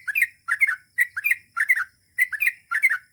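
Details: Sooty-headed bulbul singing in the lively gacor style called ropel panjang: bubbly, liquid two- and three-note chirped phrases repeated about every half second, clean and without other sounds.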